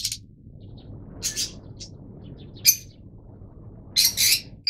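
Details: Yellow mutation Fischer's lovebirds giving sharp, shrill chirps in scattered bursts, with short quiet gaps and a louder double squeak near the end.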